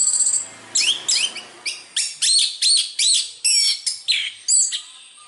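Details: Melodious song of an orange-headed thrush, Indonesia: a string of sharp, descending whistled slurs and bright chirps delivered roughly every half second, each note clean and high, over a quiet background.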